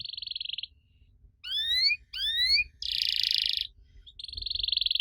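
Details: Canary song meant to draw answers from young canaries: a buzzy trill, then rising whistled slurs with gaps, another dense buzzy roll and a final trill, over soft low background hum.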